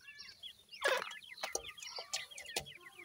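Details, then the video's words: Grey francolin chicks, described as the Iranian type, giving many short high chirps that sweep downward, overlapping in a busy rapid chatter, broken by several loud sharp knocks. "teetar kay bachy ki awaz,Irani Teetar ka bachay"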